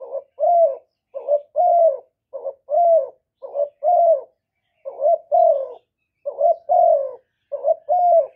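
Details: Spotted dove calling and cooing meant to stimulate male doves, recorded directly without background noise: continuous rhythmic pairs of low, rough coos, each pair a quick note then a longer falling one, roughly every second.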